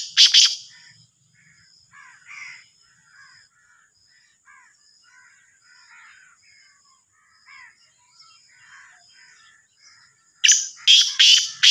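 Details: Black francolin, the Sindhi kala teetar or Sahiwal teetar. Loud rasping notes open the recording, followed by many faint scratchy notes scattered through a quieter stretch. A loud trio of harsh, grating calls closes it.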